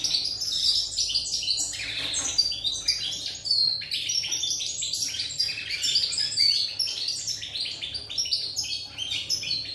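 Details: European goldfinch on 8 November 2019 delivering a long, rapid, jangling song of twittered chirps, slurred whistles and short trills, high and unbroken throughout, with a steady faint hum in the background.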